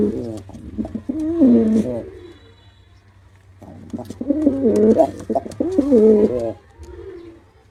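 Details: A male pigeon performing: a burbling coo, a quiet gap, then two more rolling low coos in quick succession, over a faint low hum.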